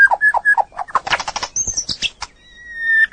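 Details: White-rumped shama from a training recording for other birds: a few short repeated whistles, a burst of harsh chattering notes, then one long, steady, pure whistle.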